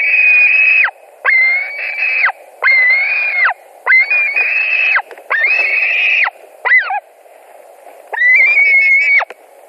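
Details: At a white-tailed eagle nest in Latvia, evening of 17 July 2020, during a fish delivery contested by two adults: a run of six sustained, piercing whistled wails, each about a second long, then a short broken squeal after a pause.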